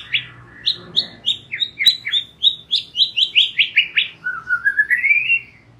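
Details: White-rumped shama song used as a lure for young and wild-caught birds: a steady series of crisp, downslurred whistled notes repeated about four times a second, ending in a rising warbled trill.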